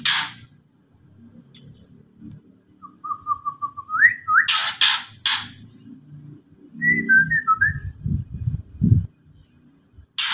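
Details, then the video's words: Ketrekan by a white-rumped shama: a soft run of repeated low whistles rising into a slur, two harsh rasps, then tumbling whistled notes over a low murmuring background. "KETREKAN BURUNG MURAI BARU BUAT LAWAN EMOSI"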